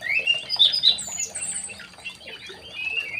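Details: Aviary-kept young male white-rumped shama delivering loud, clear whistled notes at the start, followed by softer, fast twittering and a high thin note, in a quiet background.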